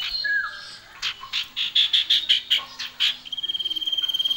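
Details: Male and female common iora singing lively: a downslurred whistle, then a series of about ten bright, evenly spaced chirps, ending in a fast, sustained trill of rapidly repeated notes.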